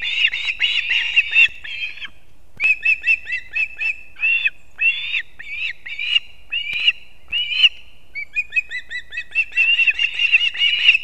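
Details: Ospreys at a nest in Kurzeme, Latvia, at dawn on 3 September 2024, the male delivering two fish to the young. Excited chirp bursts alternate with single slurred whistles, ending in a dense rapid chirping chorus.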